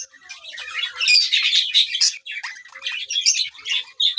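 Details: Lutino Fischer's lovebird giving a continuous stream of harsh, high-pitched squawks and chattering screeches, dense and unbroken, with short dips between bursts.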